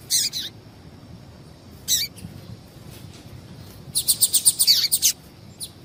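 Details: Female double-collared seedeater calls meant to excite males for singing tournaments: a burst of high notes, a single downward-sweeping note, then a fast, dense volley of bright chips, closing with one more.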